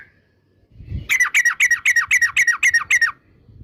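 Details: A yellow-vented bulbul (trucukan) gives a regular string of about nine clear, slightly downslurred chirps in quick succession, preceded by a soft low thump.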